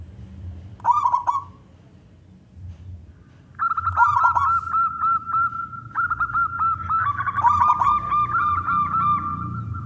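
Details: Local wild Zebra dove, a loud-voiced singer, used to lure other doves to sing; a brief rolling coo, then a long run of rapid, even, tonal notes with more stuttering coos layered in, over low background hum.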